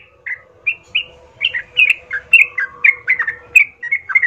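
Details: Sooty-headed bulbul singing steadily, a lure meant to draw rival birds into fighting; sweet slurred whistles, each note bending up or down, repeated roughly every third of a second.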